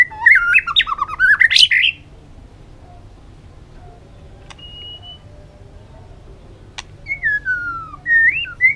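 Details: White-rumped shama song in varied forest-style phrases: a burst of rich, tumbling whistles, then a long near-silent pause broken by a single thin note and a click, before sweeping whistled slurs return.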